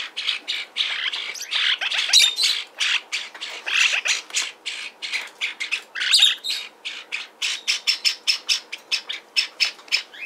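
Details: Lineolated parakeet, a hand-tame pet bird kept at a Fukuoka shop in Japan and seemingly happy, chattering steadily with dense scratchy squawks and chirps, then quickening into a fast series of clipped notes toward the close.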